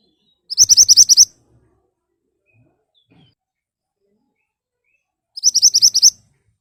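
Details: Loud ashy tailorbird song played to make birds answer: two tight bursts of seven to eight fast, high chip notes, roughly five seconds apart, silence in between.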